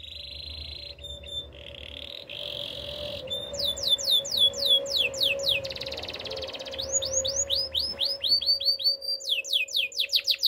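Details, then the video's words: Training song of a Spanish Timbrado canary, opening with steady rolled trills, then rapid sweeping descending notes in fast series with a low steady hum running underneath. "Canaries spanish timbrado songs for training"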